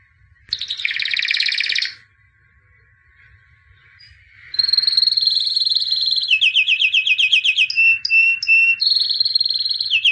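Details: Albino white canary, champion of 2017, in song: a short dense buzzy trill, a pause, then a long unbroken run of high rolling trills and steady whistled tones that shift pitch every second or so.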